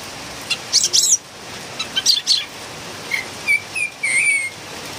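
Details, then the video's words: Philippine bulbul in noisy song: rasping, scratchy chirps first, then a run of clear whistled notes, the last one drawn out and slurred. "PULANGA ma ingay talaga(singing bird)"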